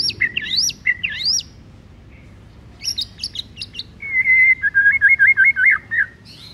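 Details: Morning song of a white-rumped shama: quick rising whistled figures, a cluster of sharp high chips, then a long trilled warble repeated in fast even pulses.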